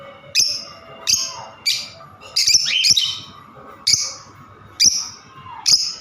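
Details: Lovebird chattering in quick shrill squawks, some doubled, with a short falling whistle-like note, about eight bursts in six seconds.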